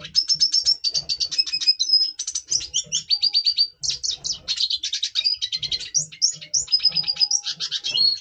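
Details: Red siskin, double pastel colour form, singing in breeding condition before breeding, November 2023: a continuous rapid twittering of high trills and buzzy chirps, with short whistled notes and quick rattles tumbling for the whole eight seconds.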